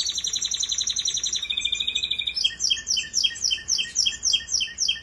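A Russian canary sings rapid high trills that shift into a steady buzzy note, then into repeated bright chirping phrases, about four per second.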